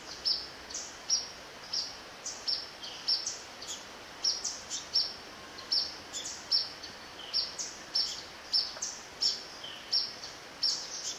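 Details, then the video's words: Yellow-bellied flycatcher on 11 November 2017 at Zamorano's Eco-Sendero, river section, giving short, sharp, high call notes, about fifteen in eleven seconds at a steady pace, over a soft background hiss. "Yellow bellied Flycatcher"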